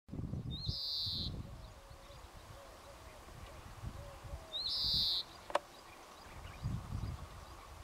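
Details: A European greenfinch calling in the Jordan Rift Valley near Nahal Issachar gives two long, nasal, buzzing wheezes about four seconds apart, with soft distant whistles, low rumble and a sharp click behind.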